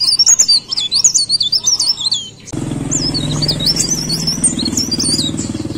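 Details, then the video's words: Shrill, quick zigzag warbling phrases from a leaf warbler (blereng, cikrak daun), continuing after an abrupt cut to a noisier, humming background. "BURUNG BLERENG - CIKRAK DAUN GACOR"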